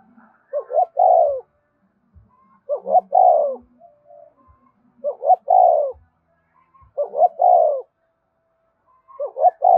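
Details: A spotted dove repeats its 'gáy thúc' song about every two seconds to urge captive birds to sing along. Each phrase is two short coos, then a drawn-out descending note, with soft low calls between.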